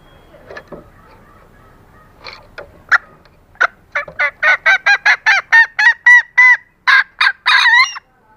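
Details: Calling female green junglefowl, meant to lure males into breeding mood. Sparse, soft clucks build into a quickening, loudening series of honking notes, about four per second, ending in a harsher, rough note.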